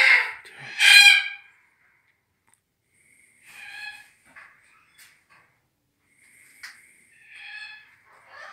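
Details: Red-tailed black cockatoo, subspecies Calyptorhynchus banksii banksii (magnificus): two loud, harsh, rasping screeches open the recording, then quieter scratchy calls and short clicks follow at irregular intervals.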